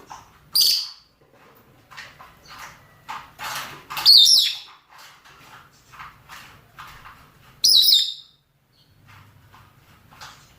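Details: Rosy-faced and Fischer's lovebirds, males and females, calling to mate: three loud, piercing, shrill shrieks spaced several seconds apart, with quieter scratchy chattering in between.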